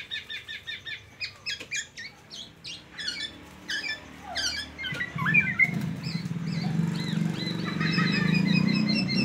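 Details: Black-naped oriole singing in the teler style, filled with copied white-rumped shama song and used to train other songbirds. It gives rapid, varied whistled and chattering notes, several per second, then a strong low hum rises in the background.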